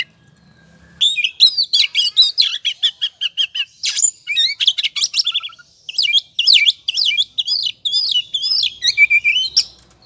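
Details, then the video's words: Oriental magpie-robin singing in ngobra style as a provoking lure: after a second of quiet, a long dense stream of varied chirps, rattles and slurred whistles, ending with a lower warbled phrase. "Pancingan suara kacer ngobra,,pasti emosi dan gacornya terpancing.."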